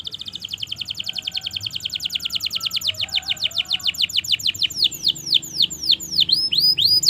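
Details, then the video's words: Canary in long continuous song, used as a master recording to prompt silent canaries to sing: rapid high trills, slow downward sweeps speeding into loud descending notes, ending with bright swooping phrases. "Masteran suara Burung Kenari Gacor Panjang Auto Nyaut Kenari Macet dan Paud"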